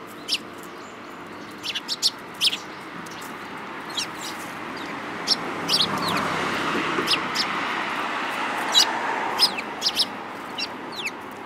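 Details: Group of sparrows in March 2018, chirping in irregular runs of short, sharp, downward-sliding notes, sometimes two or three in quick succession, over a constant low rumble.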